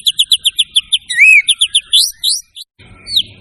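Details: White-rumped shama song for training other birds: a steady run of short repeated notes, a smooth arched whistle, more quick notes, rising swoops, then a brief silence before a final upward whistle.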